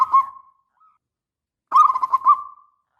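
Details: Indonesian local zebra dove used as a prompting song: the end of one soft coo phrase, then a rippling run of four or five mellow cooing notes with a fading tail.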